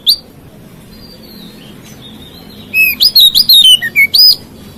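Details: White-rumped shama singing to provoke rivals: one opening note, soft faint whistles, then a rapid loud volley of varied whistled slides and sharp chips.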